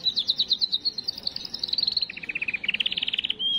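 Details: Canary song meant to stimulate hens before breeding, delivered as a steady high trill of repeated chirps that drops to a lower pitch mid-phrase and climbs again, ending in a short sustained whistle.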